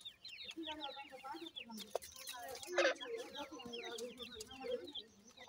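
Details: Grey francolin chicks with a parent, peeping continuously in short descending cheeps, many overlapping, with a soft lower murmuring cluck underneath and one sharp louder burst near three seconds.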